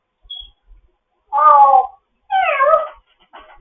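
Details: Grey parrot, in foster care, chatting in the morning: a tiny high whistle, then two drawn-out voice-like calls with layered tones, the second sliding downward, and a short closing sound.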